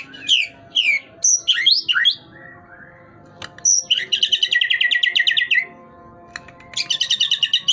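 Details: White-rumped shama pumping its tail as it sings: sharp descending whistles and bright slurs, a soft low pair of notes, then a long rapid buzzy chatter and another fast burst.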